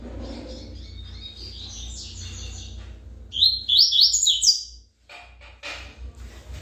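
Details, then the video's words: Seedeater singing in the Tui Tui manner: faint high chatter, then a short loud flurry of sharp, high, slurred notes, followed by scattered clicks and rustling. "coleiro Tui Tui bom cantador"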